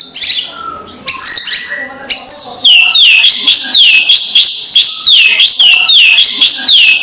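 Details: White-rumped shama kretekan provoking call intended to stir rival birds: a few scattered high notes, then rapid regular repeated downslurred whistles, about three per second, continuing steadily.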